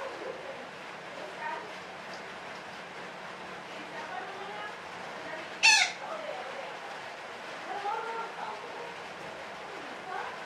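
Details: Parakeet, its call described as long chattering (ngekek panjang), gives one brief harsh screech near the middle, surrounded by a busy background of faint chirps and murmuring noise.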